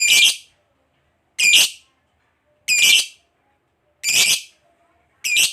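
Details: Lovebird, a fighter type kept by bird hobbyists, giving harsh, buzzy screeches, each about half a second long, repeated roughly every 1.3 seconds with silence between.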